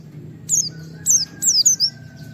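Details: Wild white-eye giving its 'nembak wit wit' shooting call, used to provoke other white-eyes into calling. Three quick bursts of thin, very high whistled notes, each sliding downward, with a faint steady tone and low hum underneath.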